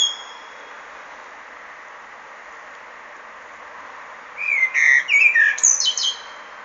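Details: A blackbird sings one short phrase after a long quiet stretch. Low mellow whistles are followed by a rapid, thin, high chittering flourish.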